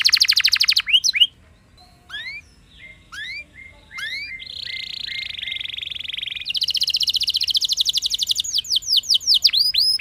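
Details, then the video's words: Canary song meant to prompt other canaries to sing: a brief fast trill, scattered sweeping notes with pauses, a long buzzy trill, then a quick rolling series of rising-falling whistles. "Cukup Putar Sebentar Saja Burung Kenari Lain Bakal Langsung Ikut Gacor Ngerol Mewah Dengan Pancingan"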